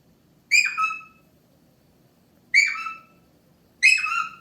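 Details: Indian ringneck parakeet kept as a pet, making silly peekaboo noises; three loud, rasping two-note calls dropping in pitch, spaced about one and a half to two seconds apart, with little else audible.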